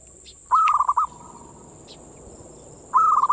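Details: Perkutut or zebra dove manggung, used as a lure to rouse local doves: a short bubbling phrase of four or five quick notes, a pause of about two seconds, then the same phrase again; steady high-pitched hum behind.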